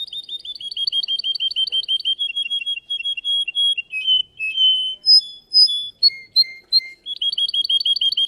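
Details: Russian canary in a singing contest pours out a fast rattling high trill, breaks into drawn-out whistles and short chips, then returns to the quick repeated trill.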